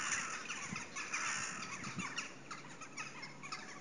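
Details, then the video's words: Wintertime crows settling for the night after dark at 55° north: many birds calling at once, harsh squawks and caws blending into a continuous crowded din with constant background noise. "вороны готовятся ко сну"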